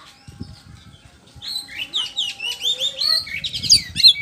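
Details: White-rumped shama song used as a lure to make other birds answer: a rich run of varied slurred whistles and warbled phrases high in pitch, continuous and rising in intensity, with faint low background noise.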